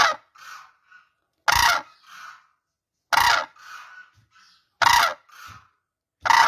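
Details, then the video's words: Crane calling: loud, hoarse, trumpeting notes roughly every one and a half seconds, alternating with quieter, muffled replies, and a steady rhythm throughout. "crane birds sound"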